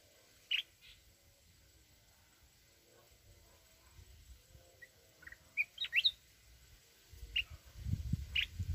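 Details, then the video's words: Mountain red-whiskered bulbul singing in a wild-type voice used to stimulate other birds; sparse short, sharp, high chirping notes, mostly single, with a quick cluster of rising notes partway through, over quiet low rumbling that grows louder at the end. "chào mào núi@ hót giọng rừng kích bổi"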